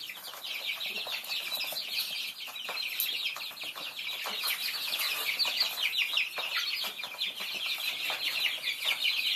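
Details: Baby chicks of Thai chickens while feeding: a continuous chorus of many thin, high peeps, rapid and irregular, layered into an unbroken twittering mass throughout.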